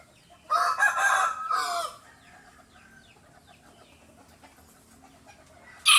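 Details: Rooster crowing in competition, answering other roosters. A harsh, loud crow lasting about one and a half seconds, broken into ragged bursts. Then a quiet stretch with faint distant calls, and a sharp sound cut off at the end.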